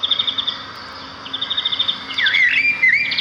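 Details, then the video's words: Sparrows in a natural setting: a fast, even run of high pulsed notes gives way to louder swooping, dipping whistles, with a low steady hum in the background. "صوت العصافير في الطبيعة"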